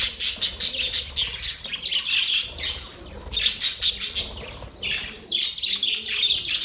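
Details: Budgerigars chirping happily: dense, high, warbling chatter in bursts of quick chirps and squeaks, with several voices overlapping almost without pause.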